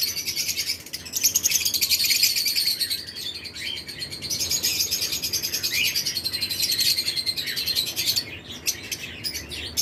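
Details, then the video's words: Breeding-season flight cage holding pairs of lovebird mutations among other birds: a busy, unbroken wash of shrill chirps and rapid twittering from many birds at once, briefly thinning near the end. "Lovebirds Chirping Sound"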